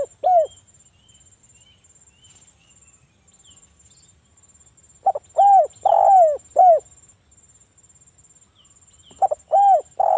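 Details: Spotted dove singing as a lure to prompt other doves to call: repeated phrases of short notes and mellow, bowed coos about every four seconds, with faint distant bird chirps and a steady high whine.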